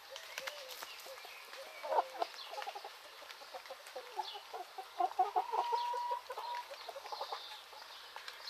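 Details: Free-ranging chickens in rural Greece in the morning: a busy flock clucks quickly and irregularly. A sustained, even note rises in the middle, and soft bird chirps sit in the background.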